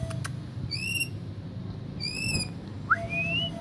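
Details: White-rumped shama described as easily agitated: two clear whistled notes, each held level and evenly spaced about a second apart, then a sharp note sliding into a long rising whistle, over a low background hum.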